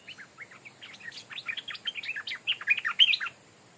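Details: Stripe-throated bulbul decoy bird, never before taken into the forest, calling at its former home, now held by a new resident bird; a loud, rapid run of bubbly chirps and chattering notes that builds in strength and then stops.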